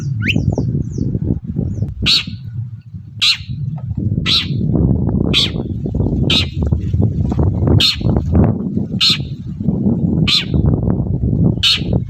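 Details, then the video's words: Long-tailed shrike calling in the morning to lure answers from other shrikes; harsh rasping notes repeated about every 1.1 seconds under loud, continuous low-pitched background noise. "BURUNG CENDET GACOR PAGI HARI BIKIN CENDET MANAPUN LANGSUNG NYAUT"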